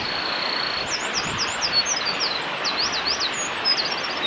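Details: Eurasian wren singing at Hinata Gorge, Japan, on 27 March 2020: a rapid string of high, thin trills and twittering notes, largely masked by a loud, steady rush of flowing water.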